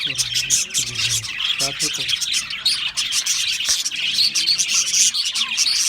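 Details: Budgies chattering together: a busy stream of shrill twittering and scratchy warbled notes, with a few brief low hums near the start and a sharp click in the middle.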